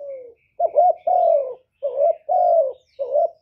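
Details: Spotted dove singing loudly to stimulate other doves into song. Mellow coos alternate between a short double note and a long level note, repeating steadily in a quiet setting.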